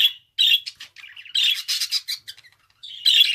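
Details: Budgerigar singing: a busy chattering warble of short buzzy and chirping notes with brief pauses, bursts dense and harsh, some bright squeaky peaks between softer twittering passages.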